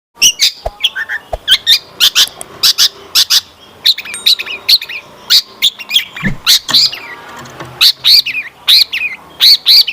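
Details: Long-tailed shrike singing a lure song meant to make other shrikes answer and sing, full of rich varied phrases: dense bursts of sharp high chirps and trills, with brief pauses and a few lower notes.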